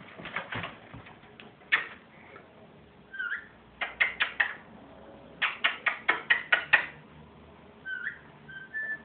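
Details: Pet ringneck parrot, sex uncertain, laughing indoors in rapid clusters of harsh pulsed bursts, with brief clear whistled notes between the bursts.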